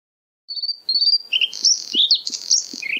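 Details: White-spotted bluethroat, subspecies cyanecula, singing at Kølsen-Skals Engsø on 10 April 2020: a thin high sustained whistle, then a rapid jumble of varied metallic twittering and buzzy notes, loud and close, with faint low ticks underneath.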